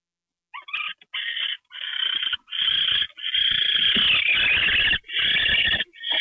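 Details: Owl receiving a mouse treat at 9:33 PM on January 28, 2013. It gives harsh, buzzy, rapidly vibrating bursts that start short and grow longer and nearly continuous, with low rustling and thumping underneath.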